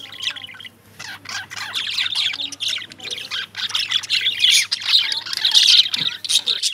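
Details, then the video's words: Lovebirds chirping: continuous rapid, shrill, scratchy squawks and chatter that build in loudness over several seconds, with a faint voice-like tone in the background at the start. "Love Birds Chirping"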